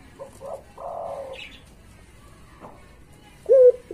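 A Barbary dove gives soft, low coos, two muffled ones early on, then a louder, slightly rising coo near the end, over a quiet background.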